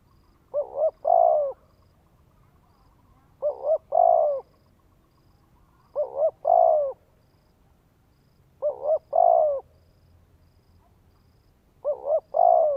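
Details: Vietnamese recording of a spotted dove cooing to stimulate a male: five evenly paced phrases of a double short coo plus an extended low croo, recurring about every two and a half to three seconds.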